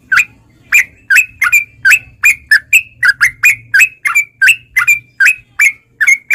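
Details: Sooty-headed bulbul, played to coax caged bulbuls into song: steady sharp chirps with bright downward flicks, roughly two to three per second, evenly repeated throughout.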